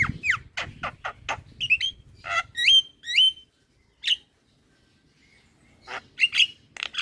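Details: Jalak starling lure song for a bird that has gone quiet: quick harsh chirps, then loud rising whistles, a lone note, a silent stretch and a final cluster of squeaky calls.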